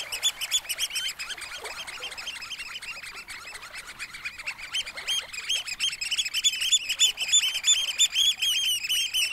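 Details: Eurasian oystercatchers on Snettisham Beach, Norfolk, late on a spring evening, giving dense, rapid shrill piping squeaks, several birds overlapping at about three notes a second, over almost-still water gently lapping the sandy shore.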